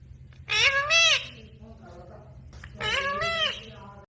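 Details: Pet parrot that talks nonstop, mimicking "mama roti do": two loud, harmonic, speech-like bursts near the start and end, with a quieter murmured sound between them, over faint low hum.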